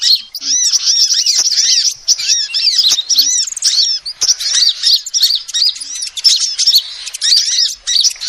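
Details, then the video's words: Female sunbird giving her original call, used as a proven lure for catching birds: long run of fast, high-pitched chirps and down-curving twitters, nearly continuous with brief breaks. "SUARA ASLI KOLIBRI BETINA"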